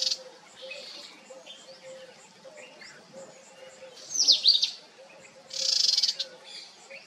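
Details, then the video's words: Sunbird family group giving thin, high chirps and short downslurred notes, with two louder squeaky bursts in the second half over a faint steady hum. "Cute Sunbirds Family"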